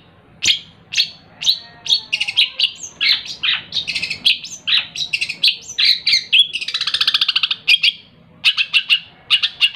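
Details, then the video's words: Long-tailed shrike kept as a pet, hand-fed as a chick and trained with mp3 recordings, singing a long rambling medley of clicks, whistles and buzzy notes that builds into a rapid rattling trill before sharp clipped phrases resume. "Burung Cendet Gacor | full isian | tembak rapat"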